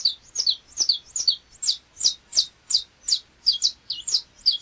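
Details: Canário-da-terra, the Saffron Finch of Brazil, repeating loud high slurred chips, some doubled, roughly every third of a second in a clear, clean recording.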